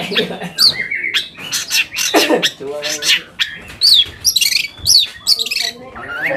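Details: Long-tailed shrike song as a lure to excite other shrikes and prompt them to sing: harsh grating notes, nasal buzzes and sharp high whistled flicks in a varied, stop-start series.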